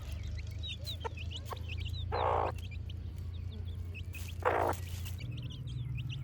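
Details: Chicks at play, producing a continuous scatter of high, short, falling peeps against a droning low background hum, interrupted twice by brief broadband rustles.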